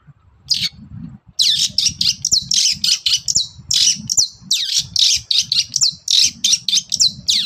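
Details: Long-tailed shrike in full morning song to provoke answers from other birds. A dense, nonstop stream of harsh chattering notes and quick slurred squeaks fills the whole stretch, with a low rumble underneath.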